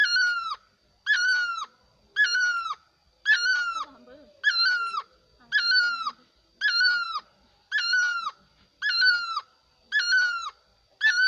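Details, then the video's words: Bird giving loud, harsh honking calls, each a short burst of several notes repeated about once a second, with faint low voices in the background. "Suab dab laug quaj zoo heev...The best sound of Bird"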